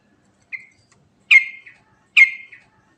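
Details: Sooty-headed bulbul (trucukan), from a recording of its rolling ngerol song with rich fill: one short note, then two loud, sharp, downslurred calls less than a second apart, each with a fading tail.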